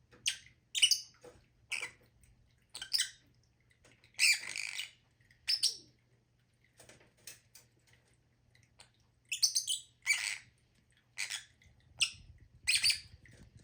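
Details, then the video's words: Lovebirds calling in a long run of high, harsh chirps and raspy squawks, scattered irregularly with short pauses, busier toward the end; low hum in the background. "Lovebirds sound"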